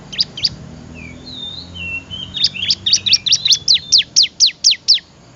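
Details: Bar-winged prinia singing, recorded for training other cage birds: two high chips, soft thin whistles, then a fast run of about fifteen sharp, piercing, descending notes that steadily space out and grow louder.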